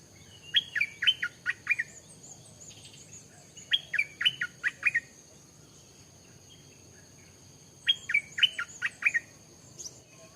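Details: Stripe-throated bulbul singing three separate phrases, each a rapid run of five or six liquid, slurred notes, with pauses of about three and four seconds between them over a constant high-pitched hum.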